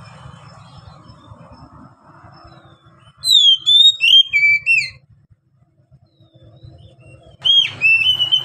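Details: Oriental magpie-robin in Indonesia with ngeplong song: low background hum, then a series of high whistled notes sliding downward, a quieter pause, and a further burst of loud whistles.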